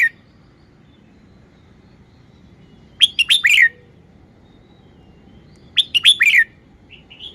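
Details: Red-whiskered bulbul repeating its song phrase about every three seconds, each a quick burst of four or five bright whistled notes, with a continuous low background rumble.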